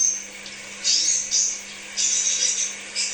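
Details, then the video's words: Crimson sunbird giving a few short, very high, hissy bursts of twittering, separated by brief silences, with a low hum in the background. The recording is used to lure kept birds. "Therapy Pancingan Kolibri Sepah Raja"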